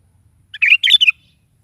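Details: Morning gacor song of a sooty-headed bulbul, played to prompt a kept bulbul to reply: a single rapid chattering phrase of liquid, slurred whistles in three quick bursts after a short lead note, with faint low hum underneath.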